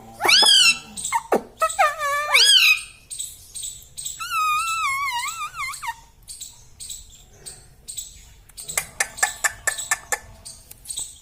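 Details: Pet Indian ringneck parrot talking: wavering, speech-like harmonic phrases, some rising and some falling, with a long warbled note. These are followed by a run of short clicking and chattering sounds indoors.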